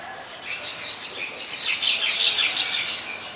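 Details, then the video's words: Oriental magpie-robin song from Ubon Ratchathani, Thailand, 14 October 2021, Nikon P1000: quick high chirps and whistles strung together, growing louder and more jumbled midway before easing off, over a faint background hiss. "นกกางเขนบ้าน Oriental Magpie Robin (singing)"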